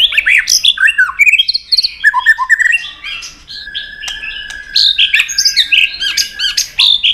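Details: Dense, excited fighting song of a white-rumped shama, tail flicking against a rival: rapid jumbled whistles and chattering notes, a short quieter stretch with a steady tone, then another burst of busy phrases.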